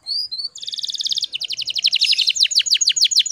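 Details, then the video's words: Female canary in breeding condition singing to stir males: two clear whistles, a dense buzzy roll, then a long fast series of descending sweeps quickening toward the end. "PANCINGAN KENARI BAHAN TERBARU PASI BIKIN GACORR"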